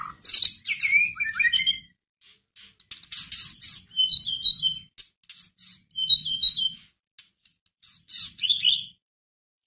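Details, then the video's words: White-rumped shama song for provoking a caged bird into singing: a fast tumbling opening of falling whistles, then repeated bursts of clipped high trilled notes at uneven gaps. "Pancingan masteran pendongkrak emosi murai batu"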